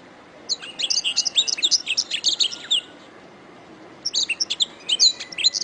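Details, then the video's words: A canary sings two bursts of rapid, high chirps and buzzy trills, each a few seconds long, separated by a brief pause, as a training song (masteran); nothing else is heard. "SUARA BURUNG - Masteran Terbaik Kenari"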